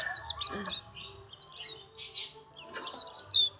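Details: White-eye giving quick bursts of high, thin chirps and short down-slurred whistles, with brief pauses between bunches and a faint low murmur underneath.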